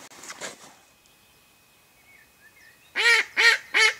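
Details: Decoy mallard hen on a duck hunt calling out to lure ducks, with a couple of softer quacks at first, a quiet pause with faint chirps, then three loud, evenly spaced, harsh quacks.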